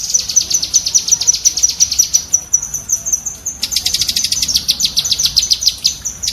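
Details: Rapid cerecetan chatter of a cucak kinoi bulbul, recorded as training material for kept birds: a quick string of sharp high chips that breaks briefly, then resumes as a denser, faster rattle of piercing notes.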